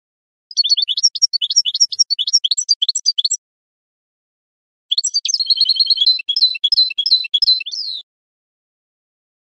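A goldfinch mule sings two bursts of rapid, high, liquid twittering with tinkling trills, each lasting about three seconds, separated by a short pause.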